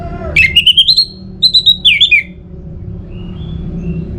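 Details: Orange-headed thrush song used to stimulate singing, from northern Bali, Singaraja: a run of loud whistled notes sliding upward, then a burst of descending slurred phrases, ending with faint thin whistles.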